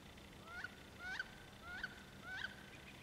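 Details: Wood ducks courting, recorded 14 April 2012: four thin rising whistled notes, each sliding upward and ending sharply, spaced about every 0.6 seconds over a faint steady background hum.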